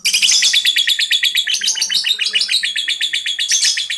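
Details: Young lovebird chatter used as a lure to make other lovebirds answer: dense, fast, shrill twittering with rapid repeated notes, several per second, continuing without pause for the full four seconds.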